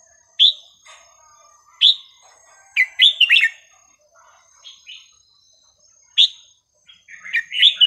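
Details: Red-whiskered bulbul singing non-repeating phrases for teaching young birds: loud clear whistles every one to two seconds, with bursts of quick jumbled warbling notes between them.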